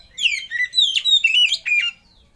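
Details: Oriental magpie-robin lure and master song for prompting other birds to sing: a rapid run of clear whistled notes, sliding and slurred, alternating high and lower phrases, ending abruptly after two seconds.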